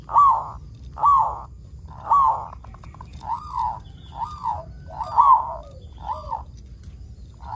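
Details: Local zebra dove in active song, used as a lure to get other zebra doves singing: soft, rounded coos near one pitch, each arching up and down, repeated about once a second in an even series.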